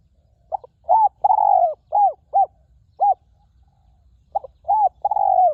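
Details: Two cooing phrases from a wild spotted dove at a ground decoy, its voice resonant and clear: short notes, a long falling coo and spaced rounded coos, a brief pause, then the phrase begins again with arched coos and another sustained note.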